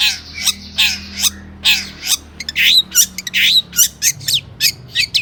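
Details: Lure recording of a long-tailed shrike singing vigorously with mimicked notes: rasping bursts and downslurred whistles about once a second, then faster sharp upswept chirps and clicks.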